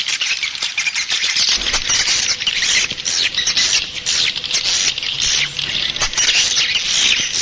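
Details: Swiftlet lure sound for attracting the birds: a steady stream of sharp, high twitters and raspy chirps, dense and overlapping, with small fluctuations in volume.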